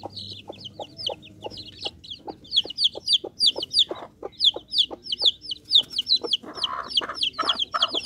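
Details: Bangkok chicken chicks calling: thin, high peeps that come faster and overlap as several chicks join in, with louder, coarse bursts near the end.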